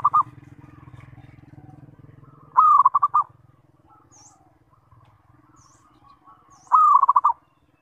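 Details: A zebra dove calling to draw answers from other zebra doves. The end of one phrase, then two full phrases of a long coo breaking into quick staccato notes, over a low hum with scattered high bird chirps.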